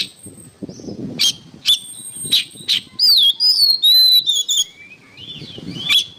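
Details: Oriental magpie-robin singing on training material for songbirds: a few sharp chips lead into a long fluent phrase of sweet, looping whistles that rise and fall, with faint background rustle.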